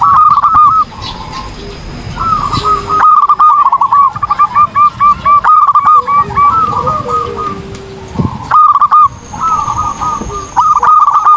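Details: Zebra dove in full song, recorded for training other birds: bursts of hooked, rolling cooing notes near one pitch, repeated in rapid series and broken by short pauses, with lower soft notes and a faint steady high tone behind.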